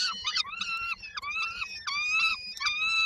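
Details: Peregrine falcon young in Koszalin, Poland, on 19 May 2022, waiting for their mother to bring supper; drawn-out, whining, slightly falling screams, roughly one per second, overlapping, over a faint low hum.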